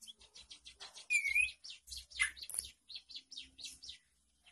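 White-headed munia giving a quick run of thin, high chirps and squeaky notes, with a short wavering whistle midway; the chatter is continuous and fades at the end.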